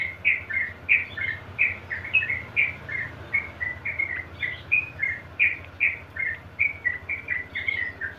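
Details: Yellow-vented bulbul in rapid, nonstop 'ropel' song, recorded as a lure and tutor for other bulbuls: bubbly, liquid two- and three-note phrases repeated roughly every half second with no pause, over a steady low hum.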